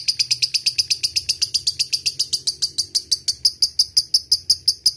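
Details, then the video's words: Lovebird giving ngekek, a long chattering song meant to provoke rival birds; rapid, regular strings of shrill, buzzy notes, close to three each second, continuing steadily throughout. "SUARA BURUNG LOVEBIRD paling di sukai lawan ! Di awali ngetik lanjut ngekek jadikan pancingan jitu"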